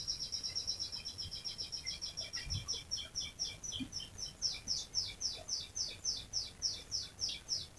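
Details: Long rolling canary song meant for prompting canaries to sing: a steady high trill of short, sharply falling notes repeated almost four times a second, fairly faint, with soft low rumbles behind.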